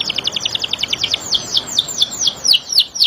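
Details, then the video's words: A canary sings a rapid rolling trill of short repeated notes that slows into a series of separate, clear downslurred whistles about four per second. "TERAPI KENARI | CANARY SINGING"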